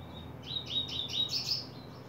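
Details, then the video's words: Coleiro, the Double-collared Seedeater, beginning its song in July 2024: short high whistled notes linked into a quick series, ending in a brighter rising buzzy flourish, with faint low background hum. "coleiro abrindo canto"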